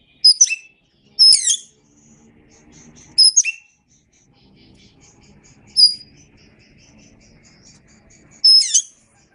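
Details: Oriental magpie-robin song recorded as a songbird training track: five brief bursts of high, sweeping chirps at irregular intervals over nine seconds, with a soft low background murmur between the bursts.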